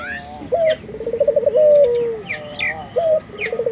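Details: Spotted dove calling as a lure to set local doves cooing: a short clipped note, then a rapid vibrating trill flowing into a long, slowly sinking coo, with sharp chirps from other birds overhead.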